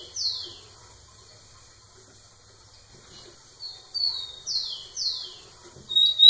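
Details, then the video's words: Rufous-collared sparrow singing to a female: a single falling whistled note, then a pause before a series of loud downslurred whistles and a rising thin note, with faint background water-like noise. "Tico tico cantando muito na cara da fêmea"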